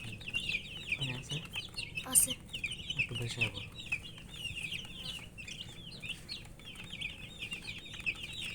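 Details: Thirsty domestic chicken chicks, coloured poultry chicks wanting drinking water, chirp nonstop in a crowded chorus of shrill, short descending peeps, with faint low sounds and a few clicks underneath.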